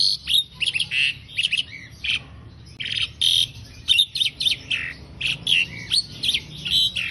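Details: Asian pied starling singing for songbird training, a busy medley of loud squawks, rattles and bright whistles in quick clusters, with a short quiet gap before the chatter resumes more intensely.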